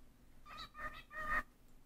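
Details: A pet cockatiel (Nymphicus hollandicus) repeats its learned phrase "pretty Broly bird" in three raspy, nasal syllables, the last one drawn out.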